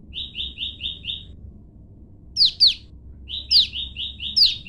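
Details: Olive-backed tailorbird pair duetting: a caged female separated from her male keeps calling to him and he answers. A quick run of five buzzy mid-pitched notes, answered by sharp, loud, high notes slurring downward, over a low rumble.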